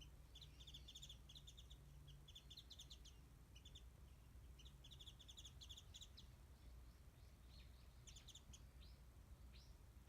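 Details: A warbling white-eye perched high up calls in quick bursts of thin, high twittering notes in short runs with brief pauses, over a steady low rumble of background noise, behind a house in Japan.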